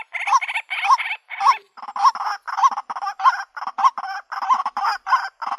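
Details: Female white-breasted waterhen calling to attract a mate: harsh, buzzy croaks repeated steadily, each carrying a short hooked note underneath, with faint low clicks in the background.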